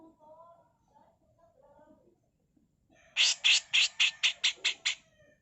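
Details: Female grey-cheeked bulbul, master tutor recording: faint low background sounds, then a fast run of eight harsh rasping bursts.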